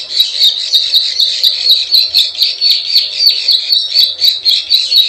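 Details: Lure call of a plain prinia, a continuous rasping buzz pulsed about four times a second, overlaid with crisp ticking clicks high above, no other sounds.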